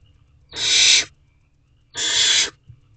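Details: Barn owl chick in its nest box struggling to gulp down a rabbit, 8:35 pm on 7 May 2023: two long, breathy, hissing screeches about one and a half seconds apart, with faint low rustling between.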